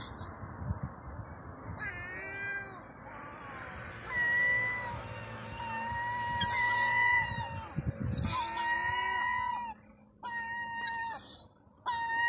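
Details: Young European herring gull, a two- to four-month-old chick, begging for food: thin whistled peeps with a harmonic ring, drawn out and slightly falling, given in bouts with short pauses, with sharp high squeals mixed in over a low background rumble.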